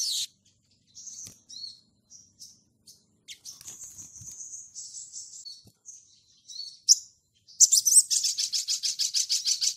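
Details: A Crimson sunbird (sogon), singing prolifically and calling out rivals as a lure to provoke others, gives thin, high chirps and brief trills, ending in a fast stuttering run of sharp notes, several per second.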